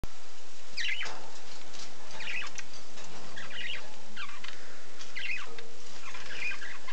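Budgerigars give short, bright chirping bursts every second or so, with splashing in the background.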